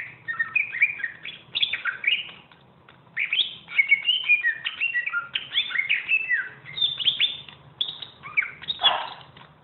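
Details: A greater green leafbird, billed as a champion master singer, pours out a dense chattering warble of quick slurred whistles and chirps, with brief pauses between bursts and a faint low hum underneath.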